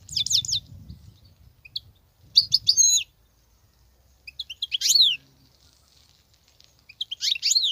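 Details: European goldfinch from the wild singing without break: bursts of bright, high twittering with downward-sweeping slurs and buzzy trills, separated by short pauses, over a faint low rumble.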